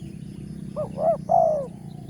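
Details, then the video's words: Morning call of a spotted dove at a lure-trapping site: one phrase of two short rising coos and a longer drawn-out falling coo, with a steady low rumble underneath. "TEKUKUR SUARA BERSAR"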